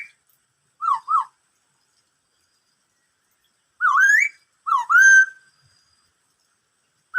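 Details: Black-throated laughingthrush singing "bắt cô trói cột": a pair of short dipping whistles, a long pause, then two louder phrases that swoop up and hold a bright level tone.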